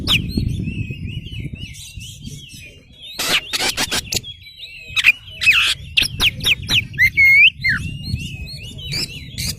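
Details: Oriental magpie-robin 'kacer gacor' singing with tail spread, a lure song to draw replies from other magpie-robins: varied whistled notes with rising and falling slurs, loud harsh broadband bursts, low background noise early on.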